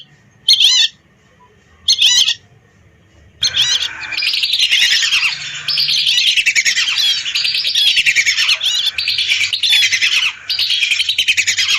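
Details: A lure recording of hundreds of lesser whistling ducks: two short, separate bursts of high whistled notes, then the full flock breaks into a dense, continuous chorus of shrill overlapping whistles.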